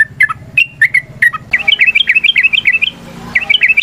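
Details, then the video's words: Long fighting song of a yellow-vented bulbul, meant to provoke other birds to answer: a few separate chirps, then a fast chattering run of bright, bouncing notes with a faint hum behind. "TRUCUKAN GACOR TARUNG ROPEL PANJANG"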